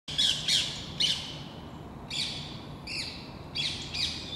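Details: Rose-ringed Parakeets, about ten overexcited birds mobbing a red squirrel in plane trees of the Versailles palace gardens, France; harsh screeching squawks in separate bursts, roughly five loud shrieks with pauses between.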